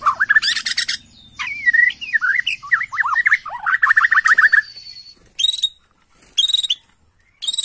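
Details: Agitated Bornean white-rumped shama song for luring: a tumbling jumble of slurred whistles and scratchy notes, then three separated bursts of high ringing chips; a low hum underneath early on.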